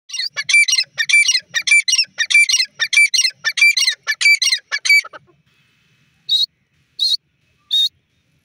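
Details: Grey francolin, locally called teetar, calling loudly: a rapid run of harsh, squeaky, ringing notes repeated steadily for about five seconds, then a pause and three short separate notes at intervals of under a second.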